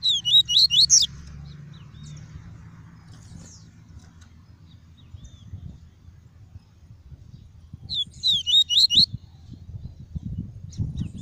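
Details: Papa-capim, a caged double-collared seedeater, singing pure tuí tuí: two quick phrases of high, down-slurred whistles at start and end, with a steady low rumble and noise between them.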